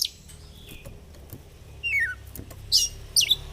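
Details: Oriental magpie-robin singing fighter-style while displaying (ngobra), a recording used to prompt birds reluctant to sing: a descending chain of quick notes followed by two shrill, squeaky bursts.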